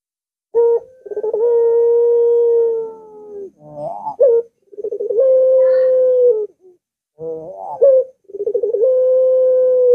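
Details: Caged domestic dove (puter) cooing to prompt a reluctant dove to sing: stuttered note bursts leading into long, steady, mellow coos, each held about two seconds, repeated with short pauses.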